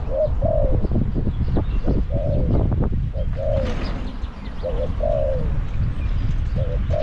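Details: Caged spotted dove used as a decoy to lure wild doves at Song Phi Nong, Thailand, giving low mellow coos in short paired or triple phrases, repeated every second or two, over heavy rumbling wind-like noise.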